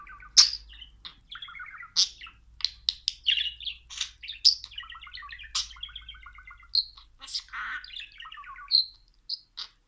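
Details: A trained budgerigar talking after training: rapid, squeaky bursts of mimicked speech, reportedly saying "Aşkım", mixed with chirps.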